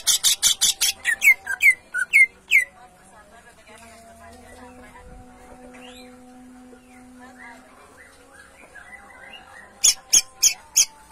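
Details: Greater green leafbird in lively, frequent 'gacor' song of the 'ngentrok' style: rapid bursts of sharp, high, clipped notes repeated about every third of a second, then a quieter stretch with steady tones, before the loud bursts return.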